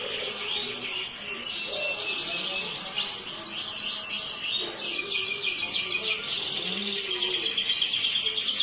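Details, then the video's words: Yellow canary singing a long, unbroken run of rapid, high trills and rolling chatter that shift in tone every second or so, with a faint low murmur underneath. "burung kenari yellow"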